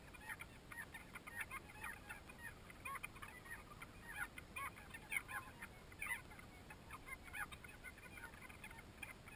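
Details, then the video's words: Banded stilts duelling in a nesting colony of over 20,000 pairs on Lake Torrens, South Australia, in 2011 after flooding rains; dense overlapping short yapping notes from many birds, continuous chorus with steady background hiss. "Banded Stilts duelling"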